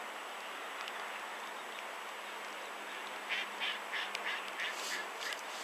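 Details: Caspian gull in central Poland giving a quick run of harsh, nasal, quacking calls in the last few seconds, over a steady rushing background of wind or surf.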